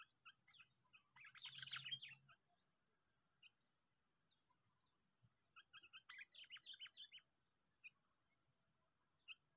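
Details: Park recording of a trapped Sooty-headed bulbul on its sixth sparring day: two separate bursts of chattering, tumbling chirps several seconds apart, with isolated short notes scattered between them.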